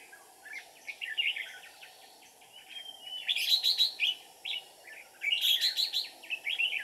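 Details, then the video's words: Decoy-trapping session on 13 May 2019 with a red-whiskered bulbul giving 'ché' style song: loud, busy chattering phrases of sharp chirps and short whistles, two intense peaks of rapid notes separated by quieter warbling, light background hiss. "Bẫy chào Mào Ché như cái máy"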